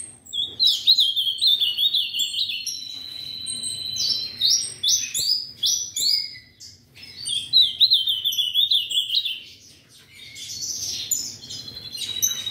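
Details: Song of an Ultramarine grosbeak (azulão) from an amateur breeder: several loud phrases of fast warbling whistles, quavering trills and sharp slurred notes, separated by short quiet gaps.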